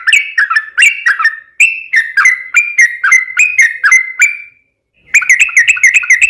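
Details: Sooty-headed bulbul used as a lure to make other birds sing: a fast run of clear, slurred whistled notes, each bending up or down, about four per second, a brief gap, then more quick notes.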